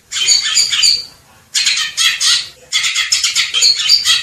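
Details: ['Greater green leafbird uttering three rasping, squawky chatter phrases with short pauses between them.']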